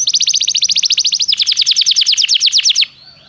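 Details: Canary song used to prompt a canary to sing: a rapid high trill switching midway to slightly slower falling notes, ending abruptly into quiet hiss.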